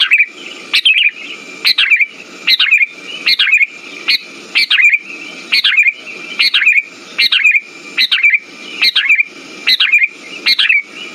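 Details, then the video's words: Repeated sooty-headed bulbul song for luring and stimulating silent birds: about a dozen short chirpy phrases in quick succession, each a sharp upward note dropping into a bubbly warble, nearly once per second, with a faint continuous tone. "Pancingan burung kutilang macet"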